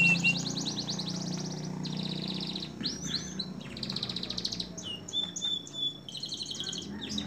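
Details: Canary singing in a long-duration training recording for songbirds, a dense jumble of buzzy high trills and chattering phrases that change every second or so, with short clear whistled notes near the end.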